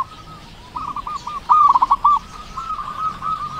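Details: Zebra dove of local stock, a frequent caller with a loud voice, kept as a lure bird: a soft opening phrase, then a louder burst of quick stuttering coo notes, fading into a gentler rolling trill.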